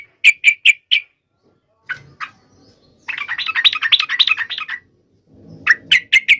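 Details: Yellow-vented bulbul (trucuk) in lively song, used to prompt other trucuk birds to sing: a few sharp chirps, a soft note, then a dense bubbling warbled phrase, followed by more crisp chirps.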